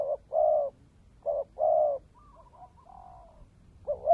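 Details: Vietnamese decoy spotted dove (cu mồi đất) giving one full coo phrase, a brief note then a longer, deeper rolling coo, trailed by faint wavering notes. The next phrase begins just as the recording ends. Background is quiet.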